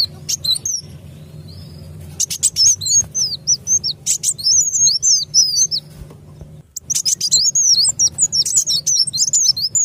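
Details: Trapping lure sound of a sunbird, kolibri wulung. Dense, very high chirping in fast, uneven runs of sharp ticks and short twisting whistles, about three per second, with one brief drop in sound midway.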